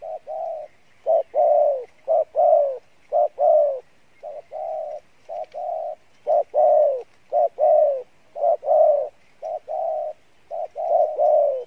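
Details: Long run of Pha Bài Lối cooing from a good-voiced spotted dove: mellow low coos in quick groups of two or three. Short and drawn-out falling notes alternate with little pause.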